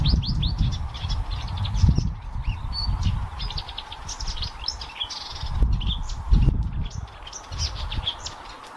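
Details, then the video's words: Loud, lively song from a Blyth's reed warbler at Haga kile on 26 May 2024: bursts of high chirps, buzzy trills and whistled notes in quick succession, with gusty low rumbling noise throughout. "Busksångare (Blyth's Reed Warbler, acrocephalus dumetorum)"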